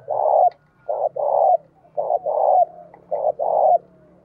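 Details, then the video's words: A decoy spotted dove, a tamed bird used to lure wild doves, gives three purring coo phrases, each a brief note then a longer rolling coo, over a faint low hum. "Chim cu gáy mồi thúc gù và gáy gọi hay"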